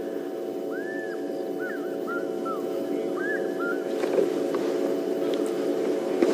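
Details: An African fish eagle calls in the distance at a dam, where it had been seen flying around calling, during a morning safari drive: six or seven ringing, arched whistled yelps over about three seconds above a steady low engine rumble.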